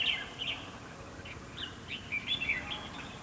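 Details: Red-whiskered bulbul song during trapping with a fighting decoy: a clear warbled phrase at the start followed by a string of short chirps and slurred notes, lightly hissy background.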